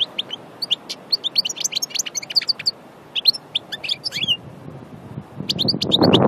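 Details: European goldfinch of the Annaba strain from Aïn Barbar, Annaba, described as pure and from nature, singing rapid bright twittering phrases of tinkling notes and short buzzy trills in bursts, with low rumbling noise swelling near the end.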